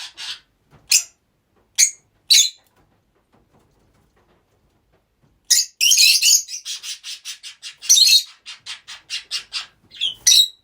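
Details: Several pet Rosy-faced lovebirds kept in the same household: a few isolated piercing chirps, a pause of near silence, then a loud rapid run of harsh repeated squawks.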